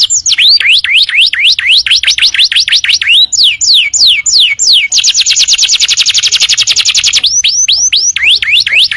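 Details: Canary tutor song used to train other birds: rapid hooked whistles repeated in runs, a few falling slurs, a long dense buzzy trill in the middle, then hooked whistles again.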